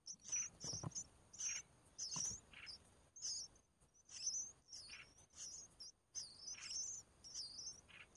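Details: Red-whiskered bulbul, a mother feeding her chicks in natural surroundings; high, squeaky chirps repeated in quick bursts about every half second, with some low thumps and background hiss.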